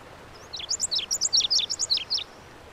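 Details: Lazuli bunting song heard slightly softer: about twelve high, evenly spaced downslurred notes in a quick, lively run lasting under two seconds.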